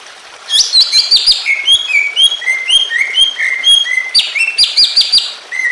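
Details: Greater green leafbird giving excited song used as a tutor to stir other leafbirds: bursts of sharp high notes alternating with a descending series of clear whistled slurs, fast and unbroken.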